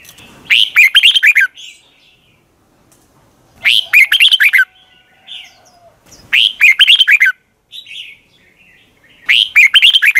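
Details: Red-whiskered bulbul morning song in the long double twisted voice style, used as a lure to train other bulbuls: four loud, warbled, whistled phrases, each about a second long, repeated roughly every three seconds, with soft notes between.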